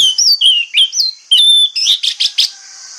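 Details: Orange-headed thrush singing in the morning, used as a lure to draw answers from other thrushes: a rapid run of clear, slurred whistled phrases jumping between high and higher notes, ending in a burst of sharp, buzzy notes over a steady high hiss.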